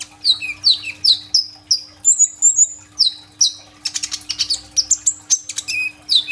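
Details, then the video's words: Kolibri ninja sunbird singing actively, used as a lure song to prompt other birds to sing, recorded on a phone: rapid high thin chirps and sweeping downslurred whistles, with buzzy rattling bursts in the middle and steady low hum. "BURUNG KOLIBRI NINJA GACOR FULL TEMBAKAN ISIAN ROLL TEMBAK"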